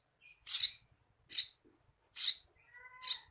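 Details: Eurasian tree sparrow 'receh' chirping, intended as tutor material for songbirds: four loud, rasping chirps under a second apart, with a faint thin whistled note near the end and soft low clicks.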